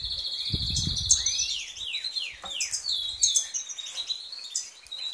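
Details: European goldfinch song: sharp downslurred whistles repeated in a quick series, then bursts of high chattering twitter; soft low bumps early on.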